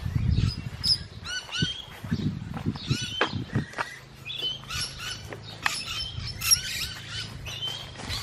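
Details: Musk lorikeets calling while feeding: scattered sharp, high screeches and short arched notes, with low thumping bursts near the start and a faint hum.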